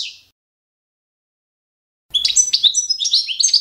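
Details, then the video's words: Balkan goldfinch, subspecies balcanica, giving standard competition song for training: the brief tail of one phrase fades, then after a pause a quick burst of high, chattering, bell-like notes starts. "skolovanje štiglića Carduelis balcanica- goldfinch song"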